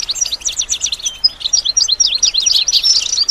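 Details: Goldfinch song for teaching birds to sing: bright, quick-fire twittering with clipped high chirps and short buzzy trills, dense and unbroken throughout.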